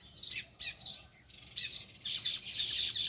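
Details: Sparrow at its nest in a village, loud rapid chattering chirps in quick bursts, building into a dense continuous twittering toward the end.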